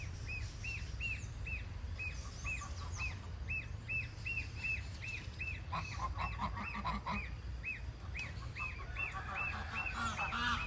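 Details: Gosling calling with a steady run of short arched peeps, about two per second, continuing throughout. Higher chirps from other birds sound over a low rumbling background, with louder, harsher calls joining near the end.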